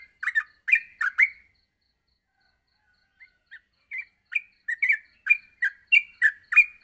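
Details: Yellow-vented bulbul singing in the morning, recorded to train other bulbuls: a burst of loud chirped notes, nearly two seconds of silence, then soft single notes building back into a quick bright chatter.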